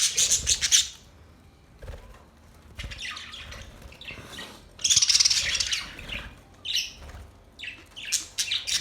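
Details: Several budgies chirping: loud bursts of high, buzzy chattering warble alternate with quieter scattered chirps and squeaky notes, calls overlapping in irregular rhythm.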